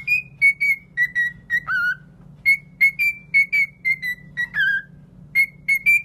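A cockatiel whistles a run of short, clear notes at an even pitch, broken by a few lower, sliding whistles, over a faint indoor hum.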